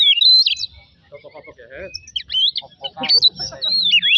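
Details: Oriental magpie-robin lure song to stir singing: whistled high phrases at start and end, separated by a quieter stretch of low chattering, rattling notes.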